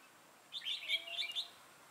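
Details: Single rich, warbled phrase from a red-whiskered bulbul with a dark bib, kept as a trapping decoy, recorded on 6 November 2018; about one second of quick, tumbling, bright notes over a quiet background.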